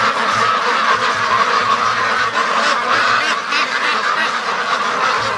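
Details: Free-range domestic ducks from a flock of over 650, rushing home from the lake toward their pen; a dense, continuous chorus of overlapping raspy quacks from many birds, steady and loud throughout with no pauses.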